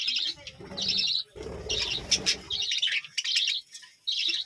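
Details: High, grating chirps from a budgerigar colony at a village home repeat roughly every half second, over low fluttering and cooing-like rumble for the first few seconds.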